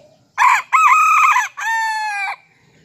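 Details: A Serama rooster crowing in the morning after being let out of its cage and perched on a hand. It gives one loud three-part crow: a short note, a longer wavering note, and a long, steady, drawn-out final note.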